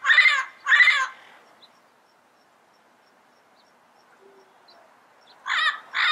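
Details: Yellow-headed parrot calling in the wild: loud, coarse, rasping squawks delivered in pairs, two at the start and two more after a quiet pause of about four seconds.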